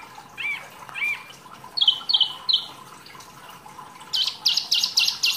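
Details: Mini wambi, a rarely kept songbird, singing actively for masteran training: two looping whistles, a few clipped high notes, then a rapid run of bright repeated chips.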